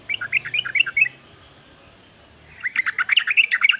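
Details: Sooty-headed bulbul song, whose varied calls make other bulbuls join in: two bursts of quick, bright chirping notes, the first about a second long, then a pause, then a longer run of rapid bubbling phrases.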